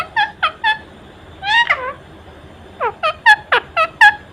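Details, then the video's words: Indian ring-necked parakeet, a pet, talking non-stop in front of a mirror with wings spread: short harmonic squawky syllables in quick runs, a pause, then a rapid burst of sharp rising and falling notes. "Non-Stop Talking Parrot🦜 Talking To Everything"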